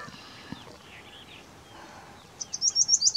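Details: A River Lapwing in Kuno National Park, April 2022, gives a quick run of about six sharp, high, clipped notes near the end, with faint birdsong and quiet background beforehand.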